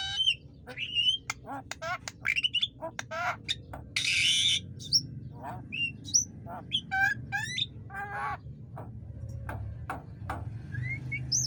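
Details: Javan myna singing, recorded as a training song for other cage birds: a lively jumble of chirps, twisting whistles and rasping notes, with one long harsh burst near the middle, over a low background hum.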